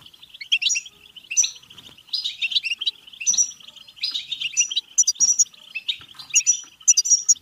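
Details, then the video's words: Goldfinch song used to urge other goldfinches into singing and breeding: a continuous, rapid twittering run of bell-like notes over a constant ringing chatter, broken by bright high chips and brief buzzy phrases. "بتبتة حسون فعالة و رهيبة لتحفيز الحسون على التغريد و التزاوج و الهيجان"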